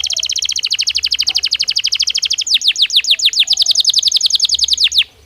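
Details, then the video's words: Belgian canary in natural song: a rapid, evenly pulsed trill for over two seconds that shifts into slower, louder downslurred notes repeated steadily until an abrupt stop. "Som de 1 Hora com Canario Belga Cantando Naturalmente"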